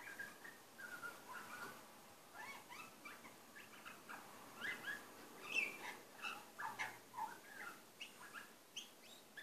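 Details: A male butcherbird sings softly to himself, a rambling run of quiet fluty notes, chirps and mimicked snippets, rising and falling without a set pattern.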